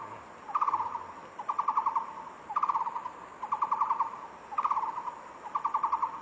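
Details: Barbet song: short bursts of rapid, even, mid-pitched trilled notes, each burst about half a second long, repeated roughly every second over a quiet background.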